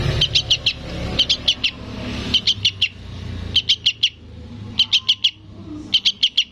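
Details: Sooty-headed bulbul chick begging, giving six runs of about four sharp, high chirps each, spaced around a second apart, with a low engine rumble underneath at first.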